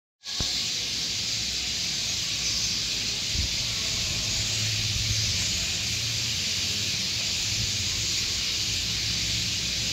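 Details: Thousands of sparrows crowd together jostling for a place to roost for the night, chirping at once so their calls blur into a steady high, hissing roar over a faint low rumble.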